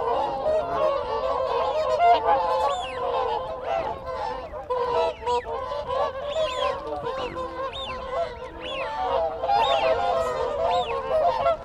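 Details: A group of whooper swans gives close-up contact calls, a dense chorus of loud, bugling honks, with thin rising whistles of wigeon and Canada geese calling behind.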